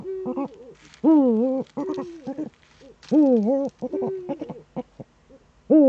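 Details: Eurasian eagle-owl in the Eifel, Germany, on a September 2013 morning between 07:04 and 07:23. Three loud, drawn-out nasal wails that dip and rise, alternating with flatter steady tones and scattered short knocking ticks.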